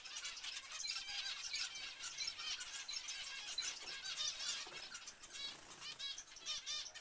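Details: Zebra finches calling together, a steady mix of short nasal beeps, squeaks and harmonic honks from several birds.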